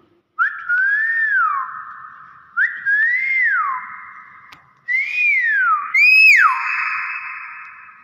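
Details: Common hill myna, said to greet guests with assalamualaikum, utters loud clear whistled phrases, each rising then gliding down, four phrases roughly two seconds apart in a quiet indoor setting.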